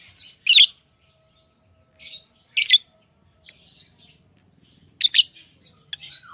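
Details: Harsh, shrill chirps from tame pet lovebirds come in short loud bursts about two seconds apart, with soft twittering between them and a falling whistle at the close.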